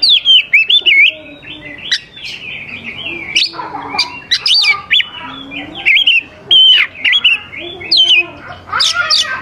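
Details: Oriental magpie-robin performing a lure song for young wild birds: busy phrases of clear whistles, quick slurs and scratchier notes, delivered in bursts with short breaks and a faint lower warble underneath.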